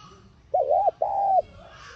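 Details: Spotted dove calling to excite a decoy bird: a single two-part coo, a rippling short note and then a drawn-out even note, with faint chirps at the end.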